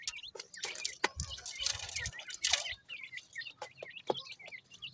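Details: Grey francolin chicks during feeding: a series of clear, bright, down-slurred high peeps repeated in quick succession, with scratching, rustling and sharp pecking clicks between them.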